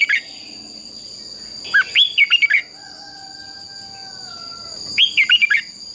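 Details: Training recording of a red-whiskered bulbul's fighting song: short phrases of four or five bright whistled notes, bending up and down, given at about one, two and five seconds with quiet gaps between.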